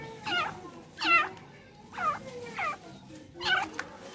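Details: Tamed female francolin calling with ringing looped notes, five in about four seconds, irregularly spaced, with a quiet noisy background.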